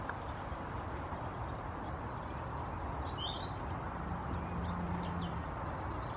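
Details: African blue tit giving a few thin, high, quick notes, some in short sweeping pairs, near the middle of the recording, over a steady loud low rumble of background noise.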